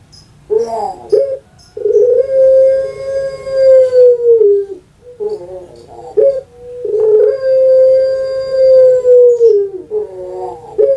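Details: Captive puter pelung dove kept in Java, Indonesia, giving its long-voiced coo: short clipped notes lead into a steady drawn-out hum of about two and a half seconds that sags at the end, repeated twice.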